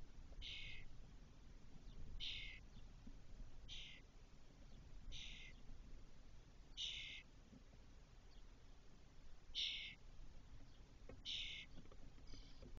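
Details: Spotless starling at Doñana National Park, Spain, 2023: the eldest chick returns to its nest box in a cork oak four hours after first leaving it. Short, harsh, raspy bursts repeat about every one and a half seconds over a low background rumble.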